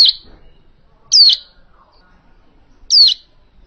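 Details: Hill prinia, original call for luring birds into traps: three strong, clear downward-slurring whistles spaced irregularly, the last two almost two seconds apart, with nothing else audible.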